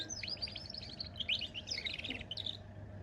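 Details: Goldfinch and canary hybrid singing a fast, continuous twitter of high, sweeping chirps and trills for about three seconds over a low background hum.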